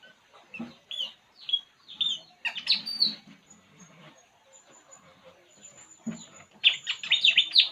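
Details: Puling bird calling while relaxing: a series of short, bright chirps that sweep downward, given in loose bursts, with a denser cluster of sharp high notes near the end.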